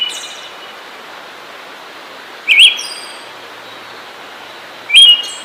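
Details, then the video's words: Siberian thrush heard twice, each phrase a brief zigzag whistle followed by a very high thin trill-like tail, about two and a half seconds apart, with a gentle continuous background hiss. "Zorzal Siberiano"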